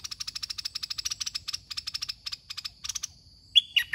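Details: Decoy-trapping contest with a caged red-whiskered bulbul; quick buzzy chatter pulses fill most of the recording, then loud clear whistled notes, falling and rising, close it.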